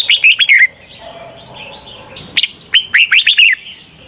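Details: Red-whiskered bulbul used as a decoy to lure wild birds for trapping, singing two short bursts of loud, quick, warbled whistled notes swooping up and down, separated by a quiet gap with faint distant chirps.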